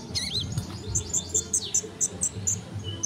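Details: Sunbird tutor recording for songbird training: a short opening slur followed by a steady series of high, piercing pips repeated roughly five times a second, over a faint low hum.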